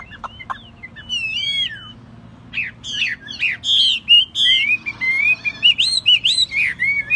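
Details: Energetic song of a caged, largely tame Chinese hwamei: a few sharp chips, a sweeping descending whistle, then a fast, loud stream of varied looping whistled notes, almost without pause.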